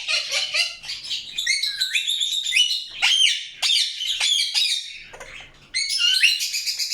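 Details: Indian ringneck parakeet chirping: rapid harsh chattering notes and sharp downward-sweeping squawks in a dense run, with a brief pause near the sixth second before chatter resumes.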